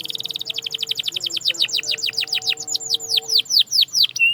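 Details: Canary song for motivating silent canaries to sing: a rapid rattling trill at the start that slows into a chain of loud descending sweeps, finishing on a short flat whistle.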